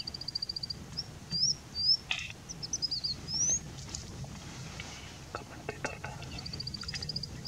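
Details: Indian bushlark singing from a rock: a rapid train of high ticking notes, then several thin high upslurs, followed by scattered clicks and quieter rustling noise.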